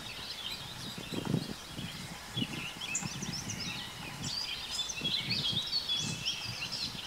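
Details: Yellow warbler at its nest in an old lilac bush with newly hatched chicks, giving a scatter of thin, high chips and short twittering notes, overlapping and irregular, over low rumbling wind or handling bumps.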